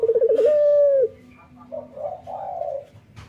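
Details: Male local Barbary dove in morning song gives a quick stuttering roll of pulsed notes, then one sustained low coo. Softer, hoarser cooing follows in the quieter second half.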